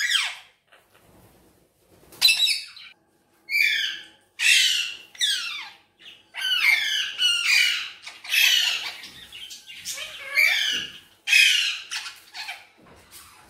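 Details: Indian ringneck parakeet, green pet bird talking in Urdu/Hindi style, long string of harsh, raspy speech-like phrases in bursts with brief pauses, after a quiet start; indoor room.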